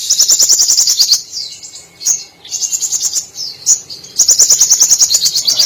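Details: Brown-throated sunbird in full song, its repertoire filled with mimicked canary, cililin, sparrow and lovebird phrases; very high, rapid buzzy trills pulsing several times a second, broken by short pauses and thin whistles.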